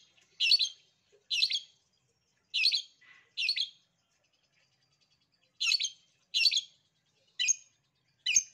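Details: Long-tailed shrike master song, used to prompt reluctant shrikes to answer and sing. Harsh, buzzy chattering notes come in short bursts, two pairs, then a pause, then four more in quick succession. Quiet background.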